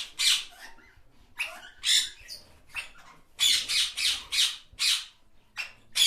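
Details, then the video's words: Talking parrots give a run of harsh, broadband squawks and chattering bursts, some in quick series of five or six, with short pauses between, indoors. "talking parrots"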